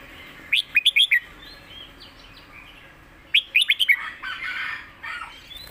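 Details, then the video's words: Red-whiskered bulbul giving a master song, two bursts of four to five quick loud whistled notes, each burst rising then falling, about three seconds apart, with softer chattering from other birds in between. "เพลงแม่บท นกเสียงทอง#เสียงนกกรงหัวจุก"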